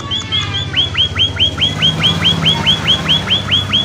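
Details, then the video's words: Munia giving lure calls to set off answering birds: a rhythmic train of bright notes, each bending sharply down, repeated about twice per second over a steady low background hum. "Suara burung Emprit Pipit gacor untuk pancingan agar emprit lain cepat bunyi sahut sahutan"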